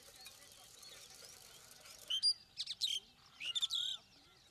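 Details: A starling breaks a quiet outdoor stretch with two clusters of loud, grating, buzzy notes and sliding whistles, while distant birds twitter faintly.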